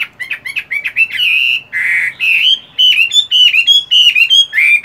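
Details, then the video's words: Caged fighting-type Chinese hwamei in moult, singing during morning voice practice: a loud, rapid run of varied whistled phrases, slurred and warbling, some notes buzzy and trilled, with short pauses between bursts. "Chiến tam hoàng, luyện công buổi sáng!"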